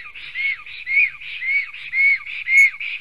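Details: Black stork at a nest in Sigulda municipality, Latvia, 10:43 am on 11 June 2020, during a fight between two males: a run of clear, arched whistled notes about twice a second, each bending up then down, with softer breathy notes between them.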